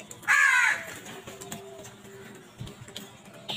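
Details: Crows in a violent scramble for food: a single loud, coarse caw at the start, then only faint background noise and a low drone.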